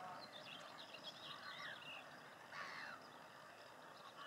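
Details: In May 2018 at De Onlanden, Netherlands, several breeding house martins gather mud for nest building. They give short, dry chirrups and twittering notes in quick bursts over a soft background hiss.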